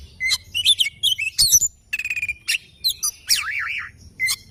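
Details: Oriental magpie-robin singing in the morning, a fast mix of sharp chips, a sustained whistle and a wavering warbled phrase, vigorous and varied throughout.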